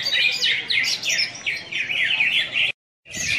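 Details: Greater green leafbird (cucak hijau) singing at a bird-singing contest in Singkawang: a fast, unbroken chain of high, looping warbled and chirped notes that runs for nearly three seconds, breaks briefly in silence, then resumes.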